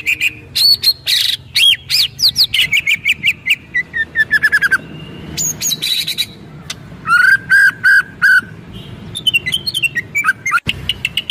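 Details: White-rumped shama in kretekan style with full 'shots', meant to provoke other birds, dated 24 January 2023: varied loud whistled phrases, sweeping notes, then rapid runs of sharp, repeated clicking notes between whistles.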